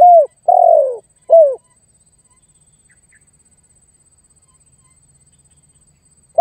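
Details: Spotted dove calling and pressing a rival, used as a lure: a short coo, a longer steady coo and another short falling coo, then a long silence before one more note begins at the end.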